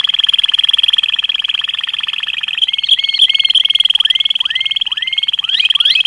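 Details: Malinois canary holding a long, steady rolling trill, with rising swooping whistled notes laid over it toward the end.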